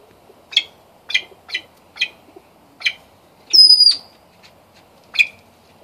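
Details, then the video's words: A yellow golden pheasant hen gives sharp, high chipping notes about every half second, then a thin, clear whistle, then one more chip. "Yellow Golden Pheasant hen."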